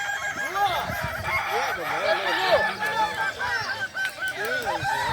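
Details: Kukuak Balenggek roosters in a crowing competition final, boko class, at a dairy farm in Solok regency; many overlapping arched, wavering crows ring out together, with voices of people in the background.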